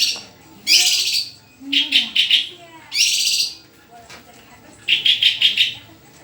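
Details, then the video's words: Vigorous white-rumped shama song in separate bursts: rich, rapid, buzzy chattering phrases of stacked notes, each under a second long, spaced by short pauses, with a faint low background murmur. "SUARA INDAH BURUNG MURAI GACORRRRR!!!"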